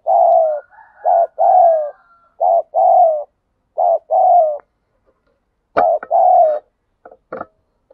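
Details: Spotted dove in the wild cooing in the 'thúc gù' style: a steady string of mellow phrases, each a quick double note and a longer sliding coo, with a few sharp clicks near the end.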